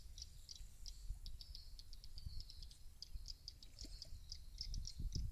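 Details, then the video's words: Lure calls of swiftlets for a bird house roost: separate high, sharp chirps repeated at irregular short intervals, some doubled, above a low rumbling background with occasional soft thumps. "SUARA RUMAH WALET CEPAT MENGINAP"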